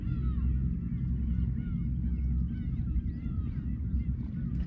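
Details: Black-tailed Gulls at Horozuki fishing port in Imabetsu, Aomori, Japan, giving clear nasal mewing calls that rise and fall, several birds overlapping, over a steady deep roar of waves.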